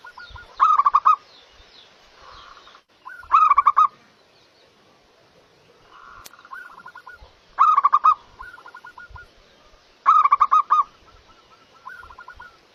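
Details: Local zebra dove (perkutut lokal) singing actively: five loud phrases of rapid, stuttering, slightly rising coos, each trailing into softer notes, repeated about every two and a half seconds, with faint low thumps between.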